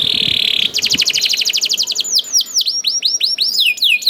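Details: Singing young canary, a song used to get other canaries singing; a steady buzzy tone gives way to a rapid rolling trill, then a run of swooping downward-slurred whistles.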